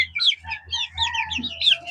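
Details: Several of about 30 young chicks, including Easter Egger chickens, give high, thin peeps and chirps that overlap in quick bursts near a mic set down by them, with a low background hum.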